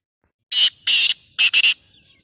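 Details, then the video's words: Black francolin's rasping call: two long grating notes and then a rapid doubled burst, loud and crisp, with a faint trailing chirp after. "Full masti wali voice tater totes ki bhot saf awaz black tater birds"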